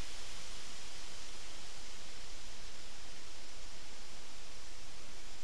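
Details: Even hiss of wind and rustling, like rushing water, steady throughout with no animal calls.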